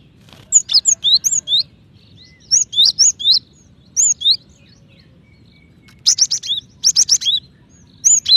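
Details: Cinereous tit female calling the male in near-continuous bursts: groups of three or four sharp, high whistles, some rising and some falling, repeat every second or so, with a few harsher buzzy notes in between.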